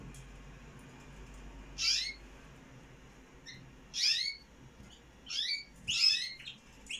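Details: One-day-old canary chicks in a nest, begging: high, thin rasping bursts repeated roughly every two seconds, each lasting about a quarter second, with quiet gaps between.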